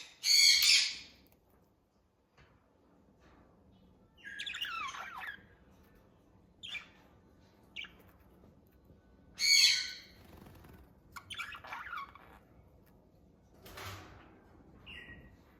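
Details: A pair of budgerigars, said to be kissing, give harsh, scratchy squawks and brief chattering chirps with quiet pauses between.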